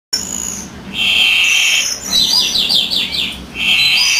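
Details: European greenfinch male singing while the female incubates: a long buzzy wheeze held near one pitch, then a quick run of descending twittered notes, and another buzzy drawn-out note at the end.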